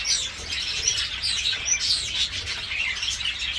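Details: Aviary of breeding budgerigars, Dutch type, chicks just leaving the nest; steady, overlapping high chirrups and rapid warbling notes, with a few rising and falling squeaks standing out.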